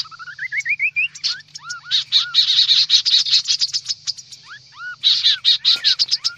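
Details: Kaso-kaso bird lure recording, noisy calling: a run of rising whistled upslurs climbing in pitch, then busy, buzzy high chattering with more upslurred whistles, over a faint low hum.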